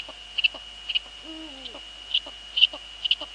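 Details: Eagle-owl at a Dutch nest on an evening in February 2013, the female on the nest and the male close by: one low, sliding note that curves down, amid a constant high-pitched hum and scattered ticking clicks.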